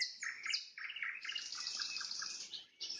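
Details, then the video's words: Nightingale song at sunset, a dense run of high trills and rapid chirping notes with brief pauses, delivered in quick succession. "Пение соловья на закате, соловьиные трели"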